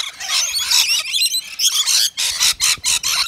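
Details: Rainbow lorikeets, native Australian birds, gathered at a balcony nectar feeder serving a wet lori mix; shrill, harsh screeches and chattering squawks high in pitch, several overlapping, coming in quick bursts.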